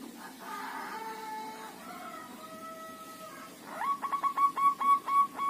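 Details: Local zebra dove in a group cage for five days: steady humming tones at first, then a rapid series of about eight punchy, rhythmic notes at an even pitch.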